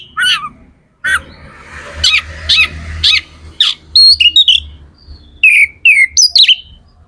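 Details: Magpie-robin, a kacer in top singing form, its song used to fire up other kacer birds: loud harsh notes, then clear whistled phrases sliding down, rough buzzy bursts between, low hum underneath.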